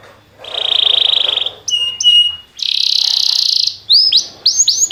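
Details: Canary song played for training other canaries to sing: a long buzzy trill, then short ringing notes and fast downward-swooping whistles, with a second buzzing roll in the middle.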